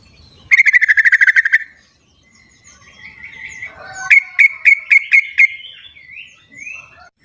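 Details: In the wild, a sooty-headed bulbul gives a dense one-second trill of bright notes, then a rising whistle and six separate sharp notes. The recording serves as a lure for bulbuls that will not sing.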